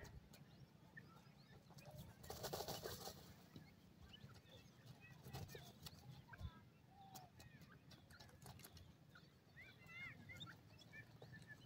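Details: Dakhni teetar (francolin) chicks give thin, high peeps and short upswept chirps, scattered irregularly over a low background rumble with occasional rustling bursts.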